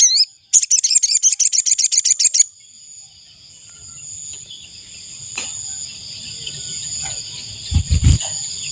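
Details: Ashy tailorbird calls used as a decoy to lure wild birds: a fast, even burst of sharp, high notes lasting about two seconds, over steady high insect-like tones and low background rumble.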